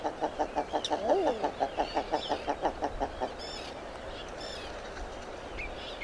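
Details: Common eider: a quick series of short clucking notes, about three per second, with one arched coo partway through. The clucking stops halfway, leaving faint background noise and a few thin high calls.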